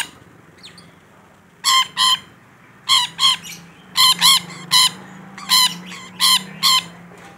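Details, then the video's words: Rainbow lorikeet, kept bird described as in full voice, delivering loud harsh shrieks in pairs and short bursts, about a dozen over several seconds, over a low steady hum. "Suara Burung Nuri Pelangi Gacor"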